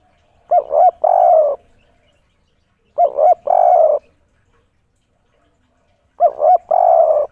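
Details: Spotted dove on roof tiles, worked up, cooing the "kuk 3" pattern. Each phrase has two brief hoots and then a longer, throaty coo. Three phrases are spaced roughly three seconds apart against near silence.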